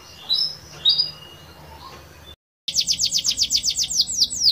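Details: Canary song in the cengkok mewah style, opening with a few scattered high whistled notes, then after a short gap a rapid trill of repeated high, bouncing notes.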